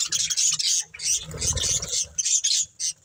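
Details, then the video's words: Breeding budgerigar pair with loud, grating high chatter in pulsing bursts, a soft lower rustle in the middle. "Beautiful Budgies Chirping Sounds"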